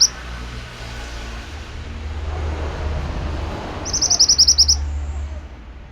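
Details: Pied bushchat singing vigorously as a tutor for training birds: after several seconds of low background rumble, a single rapid burst of high, repeated chip-like notes.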